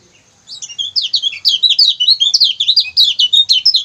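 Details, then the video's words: Lemon-bellied white-eye singing for a songbird training recording: continuous, energetic, very high chatter of brief down-slurred chips and trills, packed closely and loud throughout, with no other sounds. "CIAK CIAK GACOR KECIAL KUNING"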